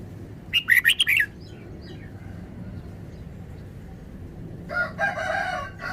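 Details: Red-whiskered bulbul singing a brisk phrase of five chirpy notes, with a rooster crow rising faintly near the end over a low hum.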